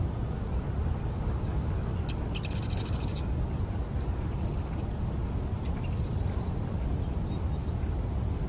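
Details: Marsh wren at Sunnyvale Landfill singing: three quick, dry, buzzy rattles of high notes, each after a couple of ticking lead-ins, over a heavy low rumble of wind or traffic.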